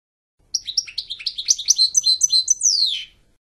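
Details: A quick goldfinch phrase: jumpy high notes speed into a twittering sequence and end in a long downward-sweeping whistle, lasting about two and a half seconds.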